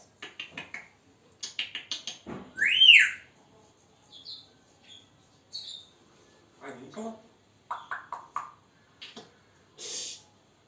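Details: Captive African grey parrot, a male, chattering to himself indoors: a mix of short speech-like syllables, clicks and one loud rising-falling whistle, with quiet gaps between bursts.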